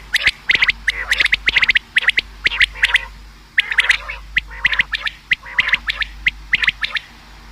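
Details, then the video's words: Common quail calling, a sound used to lure birds for hunting: rapid clusters of short, sharp clicking notes, often in threes, repeated densely through the whole stretch, possibly several callers overlapping, over a steady low hum. "Bedana new common quail sound | शिकार के लिए बटेर की आवाज | btair ki awaaz | بٹیر"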